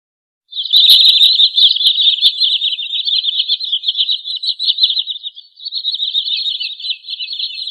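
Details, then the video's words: Sandpiper (trinil sawah) delivering an unbroken, loud, rapid chatter of high notes for about seven seconds. A brief dip midway is followed by a slightly higher continuation, with a few sharp clicks near the start. "suara burung trinil sawah"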